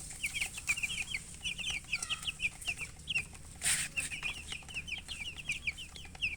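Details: Thirsty baby chickens calling for water: rapid series of short, high, downslurred peeps from several chicks, nearly continuous, broken by one brief noisy burst midway.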